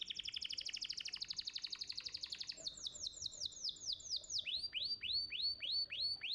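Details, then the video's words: Singing canary of a champion competition bird, used to encourage young canaries to start singing: a dense high rolling trill that shifts into a series of repeated downward-curving whistled notes, about four per second. "Pancingan Kenari Muda Cepat Bunyi & Ngeriwik – Masteran Kenari Juara Gantangan"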